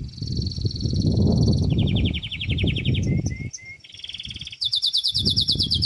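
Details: Belgian canary singing at a competition: a sustained high trill, a lower pulsed rattle, two short rising whistles, then a bright rapid high trill, over loud low rumbling background noise.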